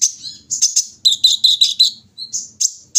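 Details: Brown-throated sunbird set out in the morning air at dawn, giving bursts of very high, thin chirps and short trilled notes in quick clusters, separated by brief pauses.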